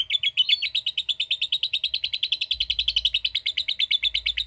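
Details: Pet lovebird giving a long ngekek trill in response to a calling recording, a steady fast series of sharp chattering pulses repeated about seven per second throughout.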